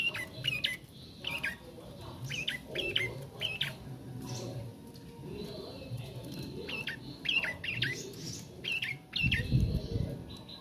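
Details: Young bar-winged prinia learning to sing: bursts of sharp chirping notes repeated in quick pairs and triplets, pausing between groups, over a busy background of rustling and low rumbling noise.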